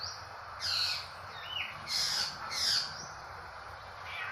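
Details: Crow-like drongo calls: three rough, scratchy squawks with a short whistled note between them, set against a continuous high insect drone.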